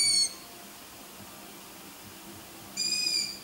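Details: Night recording of growing long-eared owl chicks, whose voices resemble kittens mewing: two shrill, strained squeaks about two and a half seconds apart, each short and high-pitched, with only faint hiss between them.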